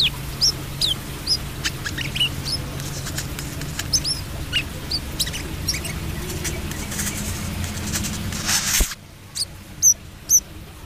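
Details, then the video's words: Brown-throated sunbird in speckled 'trotol' plumage, singing actively ('gacor'). Thin, high, sharp chirps and short down-slurred notes come about twice a second over a steady low hum, which cuts out near the end, leaving a few last notes. "KOLIBRI KELAPA TROTOL GACOR"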